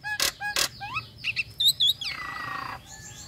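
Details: A female Nias hill myna in breeding condition calls to the male: loud sharp broadband notes, twisted whistles, a pair of bright high notes, then a long descending buzzy slur.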